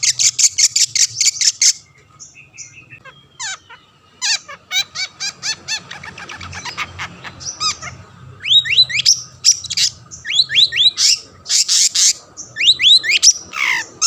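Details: Long-tailed shrike in full song, used to provoke other shrikes into singing; loud, varied high chattering, rapid repeated notes and quick whistled upslurs mixed with harsh bursts throughout.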